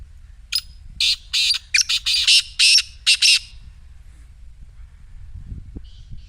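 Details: Black francolin delivering a full harsh phrase of about eight loud, grating, buzzy notes packed into two and a half seconds, followed by quiet with faint low rumbling.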